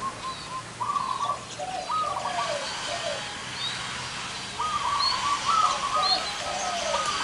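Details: A gathering of zebra doves, large- and small-voiced, singing trilled, stuttering coos in repeated bursts about once a second, each followed by lower gliding notes from other birds.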